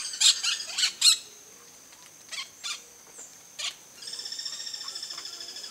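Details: Campo flicker, a large terrestrial South American woodpecker: four sharp loud notes in quick succession, several softer single notes, then a fast, even series of repeated high calls.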